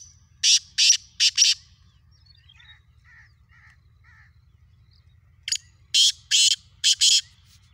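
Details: Morning call of a black francolin, recorded 3 April 2024: a rapid series of four loud rasping bursts, a pause with soft distant chirps, then a second series of five harsh grating blasts over a faint low background drone.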